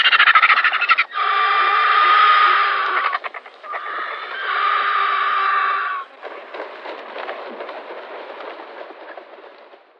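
Griffon Vulture giving harsh, raspy, drawn-out squealing hisses in two long bursts, then fainter scratchy chatter.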